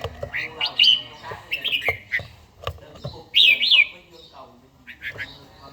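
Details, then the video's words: Red-whiskered bulbul held in a cage, practising morning song: scratchy whistled notes and clicks, then one loud arched whistle phrase midway. Softer chattering follows, and faint human voices can be heard in the background. "chàomào HÓT SÁNG"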